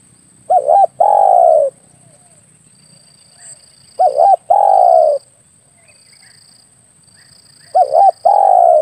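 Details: Hunting lure call of a spotted dove, three phrases spaced about three and a half seconds apart, each a short two-note coo then a long drawn-out coo sliding lower; thin high whine underneath.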